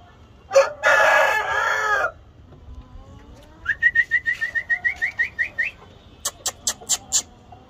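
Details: Aseel fighter rooster giving one rough, drawn-out crow of about a second and a half, then a quick run of a dozen short rising chirpy notes, followed by a few sharp clicks.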